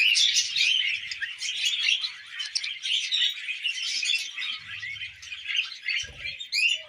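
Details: Several tamed budgies at millet, chattering continuously with high squeaky chirps and warbles, with faint low rustling and a short thud near the end.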